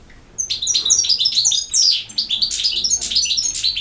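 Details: Campero-style goldfinch song, a lively burst of high tinkling notes, quick slurred chirps and liquid trills in close succession after a quiet start.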